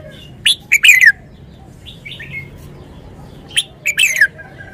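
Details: Red-whiskered bulbul performing forest-style song phrases: two rapid bursts of three or four sharp, ringing notes ending in a falling warble, about three seconds apart, with quiet chattering notes in the gap over faint low background hum.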